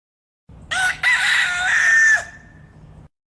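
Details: Chicken, one of a series from different countries, crowing once: a brief opening note, a short gap, then a strained harsh drawn-out cry that trails off quietly over a low background hum.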